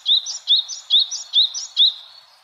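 Yellow-bellied tit giving five high, thin two-part notes, roughly two per second, each a sharp rising tick with a brief higher overtone; the background is quiet.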